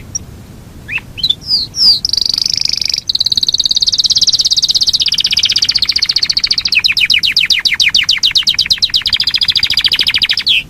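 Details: Long rolling song of a Yorkshire canary: brief sweeping notes, then an extended high trill that breaks into a rapid series of repeated sweeping notes.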